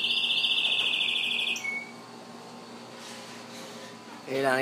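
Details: Yellow canary with its chicks: a loud, even, high rolling trill held for about a second and a half, then quieter background, ending with a man speaking Spanish.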